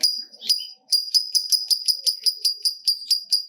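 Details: Shrill, strident lovebird ngekek chatter, used as a lure to make other lovebirds call diligently: high sharp notes repeated in a fast, even series of roughly five per second after a short hesitant start.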